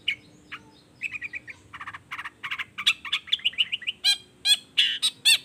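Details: Long-tailed shrike in full song, meant to spur other shrikes to reply: a busy run of short, varied chirps and trills that builds in loudness and speed, closing with louder, sweeping squawk-like notes.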